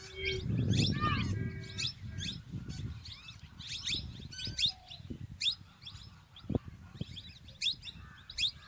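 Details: Male and female plum-headed parakeets keep up fast, shrill, squeaky chatter of short notes, about four per second, with a few whistled, slurred notes early on and a low rumble in the background.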